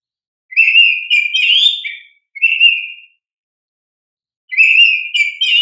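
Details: Oriental magpie-robin singing lustily to stimulate young birds: rich warbling whistled phrases, a short steady whistle, a pause, then another jumbled, fluty phrase; no other sounds.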